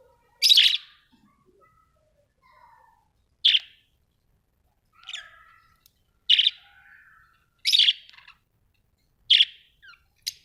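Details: Australian budgie parrots giving short bright chirps about every one to two seconds, single or doubled, with soft faint twitters between them in an otherwise quiet setting.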